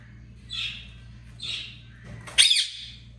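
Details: A talking African grey parrot calls its own name "Sukkar": two soft, breathy syllables about a second apart, then a louder, harsh, rising-and-falling word, in a quiet room.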